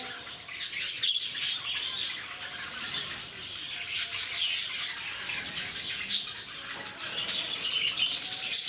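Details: A busy group of zoo lovebirds at Bannerghatta, Bangalore, keeps up shrill, buzzy chattering, with sharp squeaky notes standing out every few seconds over the steady din.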